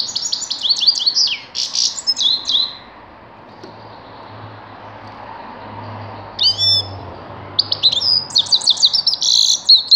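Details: Grey-crowned goldfinch: a burst of rapid twittering and trills, a quiet pause of about three seconds, a single short call, then the jingling, chirping song starts again and runs on.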